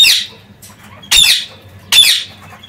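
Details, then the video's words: Parakeets out of their cage on a day of freedom: three loud, grating screeches roughly a second apart, each sharp and falling off quickly, quiet hum in between. "Parrocchetti | Liberi nella voliera"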